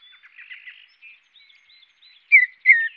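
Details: Mountain bluebird gives soft, husky chirps, then two louder, slightly descending notes near the end; otherwise quiet.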